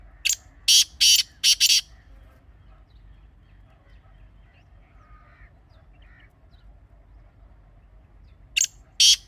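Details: Teetar, the grey francolin, used as a hunting call, utters a rapid series of three harsh grating bursts, then a long quiet pause with faint distant sounds, then two more rasping bursts.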